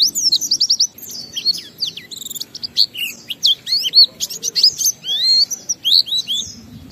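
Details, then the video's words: Oriental white-eye in energetic, fast-flowing song, used as a lure to make other white-eyes sing: a rapid run of high, thin, sweeping whistled notes, falling and rising slurs tumbling together without pause, over a faint low hum. "Pleci Bahan Segera Ngalas Nembak dan Bongkar isian setelah diperdengarkan pleci gacor ini"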